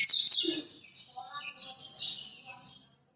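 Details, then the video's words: Lemon-bellied white-eye from Lombok, a master song used to coax silent birds into singing: bright high twittering phrases with quick whistled slurs and rising and falling notes, starting loud and fading into softer, spaced chirps. "Masteran Kecial Kuning Lombok!!! Buat Pancingan Kecial Macet"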